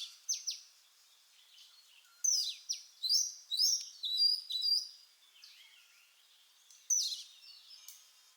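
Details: Oriental magpie-robin singing: loud, clear whistled notes and sweeping slurs, some falling sharply, delivered in short bursts separated by quiet pauses, with softer chirps in between.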